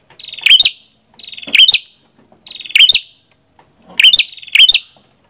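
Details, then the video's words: Prenjak kepala merah song against a quiet background: five phrases, each a brief high pulsed buzz rising into a loud sharp chip, spaced roughly one second apart. "Suara Burung Prenjak Kepala Merah"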